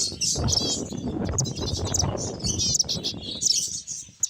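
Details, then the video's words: Playful finches give rapid, high, buzzy chirps and short trilled notes in a dense flock chorus over a low background rumble. "Cute Finches Chirping Sounds"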